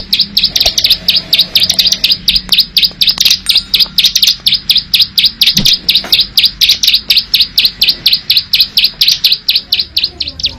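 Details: Wild Plain Prinia delivering a loud, clear ngebren song: a long, steady series of sharp, high, dry clicking notes, about two per second. Faint low hum runs underneath.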